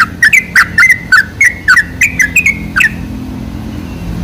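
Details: Lure song of a sooty-headed bulbul to make bulbuls sing, a burst of quick liquid chirps for nearly three seconds, then only a low engine-like hum.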